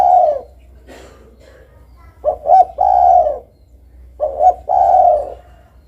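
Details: Low cooing of a spotted dove. A long coo fades out, a soft muffled interlude follows, then two full phrases of double short notes, each running into a sustained mellow coo. A low hum sits underneath.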